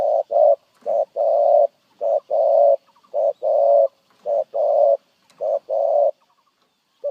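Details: Cooing spotted dove in 'gù' style: regular phrases of a quick short note then a longer, rich coo, repeated about every second, against a clean, quiet background.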